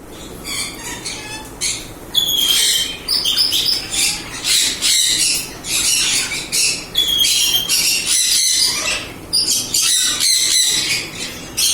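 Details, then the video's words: Mealy amazon parrot giving loud, harsh, raspy squawks. Some are drawn out, some are clipped, and they come almost nonstop in ragged bursts with brief gaps between them. "Mealy Amazon Parrot."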